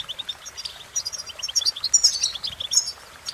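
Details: European goldfinch delivering a quick, lively song: thin high notes speeding into a bright twittering flourish at the middle, then easing into scattered chirps.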